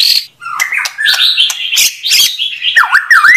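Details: White-rumped shama song with dense scratchy warbling that turns into two swooping whistled notes, each dipping then rising sharply at the end.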